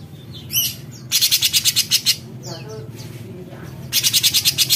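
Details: Light-vented bulbul, known locally as cucak cungkok, giving its besetan: bursts of rapid, harsh, buzzy rattling pulses, about ten per second. Bursts are separated by quieter gaps holding a few softer chirps and a faint low background hum.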